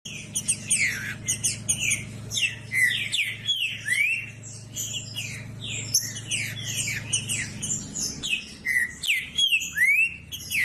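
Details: Green-winged saltator singing to stimulate and fire up other males: a dense run of clear whistled notes and downward-sweeping slurs, phrases tumbling together almost without pause, over a steady low hum.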